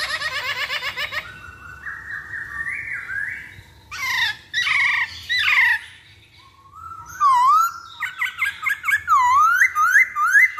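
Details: Masked laughingthrush used as a lure recording to make other birds sing: a buzzy harmonic trill, then rising whistled steps, several harsh squawks, and a closing run of bright rising whistled notes.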